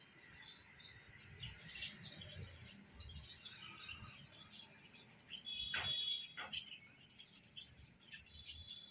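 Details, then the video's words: House sparrows in hot weather, several birds giving quick, high chirps and tweets in busy overlapping bursts, with a thin whistled note near the middle and a steady low background rumble. "Hot climate.... sparrows"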